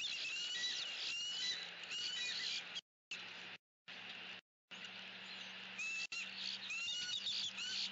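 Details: Southwest Florida eagle pair calling loudly from their nest tree on an October 2017 afternoon as crows stop by; high, sharp chirps and brief piping notes repeat in quick series against a constant buzzing insect background.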